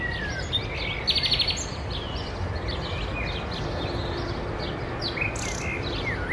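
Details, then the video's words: Common nightingale singing in summer: a quick burst of rapidly repeated notes, then whistled slurs and sweeps, over a steady low rumble of background noise. "Nightingale singing / Nachtigall singt"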